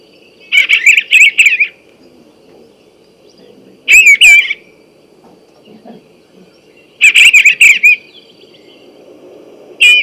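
Eastern Bluebird song: short bursts of soft, warbling, slightly burry notes, each phrase about a second long, coming every three seconds over a faint low hum.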